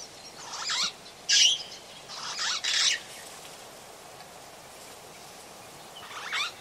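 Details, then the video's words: Long-tailed glossy starling calling at Oyster Creek on the Coast Road in the Gambia: harsh, raspy, broadband bursts, each about half a second long, several in quick succession and then a pause before a fainter final call. "Long-Tailed Glossy Starling. Calls"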